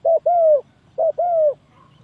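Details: Trapping lure call of a spotted dove: two phrases, each a clipped short coo followed by a mellow, drawn-out croo that slides gently downward, under half a second long.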